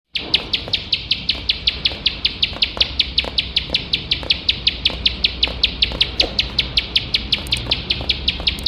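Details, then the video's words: Ciblek sawah (bar-winged prinia), a competition bird, singing nonstop: a long run of sharp, high, buzzy chirps repeated rapidly at a steady pace, several per second, with faint low background rumble. "ciblek sawah gacor nembak nembak tanpa HENTI"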